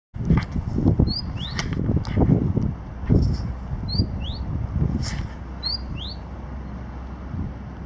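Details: Great tit in Kristianstad, Sweden, on 22 February 2018, sings high two-note phrases, a level note then a quick slurred one, about every two seconds over a low rumble of wind and rustling.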